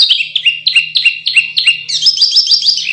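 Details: Canary song used as masteran training audio for contest birds: rapid repeated high chirping phrases, then a faster, higher buzzy trill near the end, with a faint low hum underneath.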